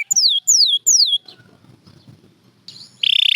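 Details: Canary song used for training singing birds: three loud, clear whistles, each sliding downward, then a quiet pause with low rumbling, ending in a fast buzzy trill.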